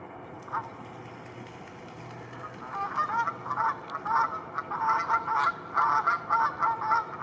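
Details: Canada geese, a group feeding in a pasture in northern France: after a quiet start, a rapid series of nasal, two-part honks from several birds overlapping, coming roughly twice a second with uneven spacing.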